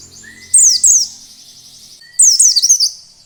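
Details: Oriental white-eye singing in wild style to draw song from other white-eyes: two high, bright bursts of slurred, falling twitters about 1.6 seconds apart, a soft thin whistle before each, faint low hum at the start.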